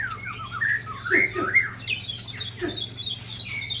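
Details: White-rumped shama of the Sabang type in Aceh, Indonesia, being attacked by shamas from Ujong Pancu and Tangse: harsh squawks and short sliding whistles, uneven and agitated, with a steady low hum beneath.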